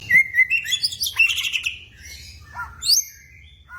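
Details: White-rumped shama in full, lively song: a quick run of clear whistled notes, some rising and slurred, then buzzy warbled phrases and a few higher sharp whistles, with no other clear sounds.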